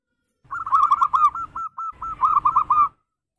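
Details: A local zebra dove gives its swinging berayun song, used to lure other doves: a quick string of purring coo notes that pauses briefly, then resumes in a rolling sequence of similar beats.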